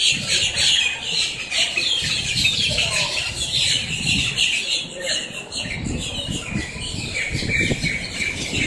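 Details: Flock of blackbirds making a racket up close in Miami, Florida: dense overlapping harsh squawks and chatter, high-pitched and continuous, with some low rumbling background noise.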